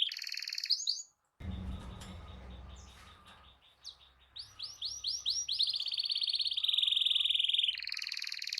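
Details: Canary rolling song used to provoke other canaries, opening with a brief trill, then low background noise under fading notes, followed by a loud, steady buzzy trill with repeated sweeps.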